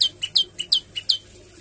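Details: Prenjak lumut, the olive-backed tailorbird, in full song with 'tembakan' shots. Six quick, piercing chirps alternate between two pitches, then stop, leaving a faint steady background hum.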